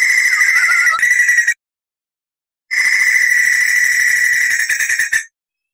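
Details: Vocal white-crested laughingthrush giving the long clear rolls of a tutor recording: two extended, steady rapid trills, about one and a half and two and a half seconds long, separated by a silent gap.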